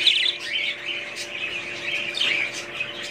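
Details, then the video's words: Flock of budgerigars in busy chatter: scratchy warbles, sharp chirps and short buzzy squeaks overlapping without pause, a low hum in the background. "budgies parrots#2022"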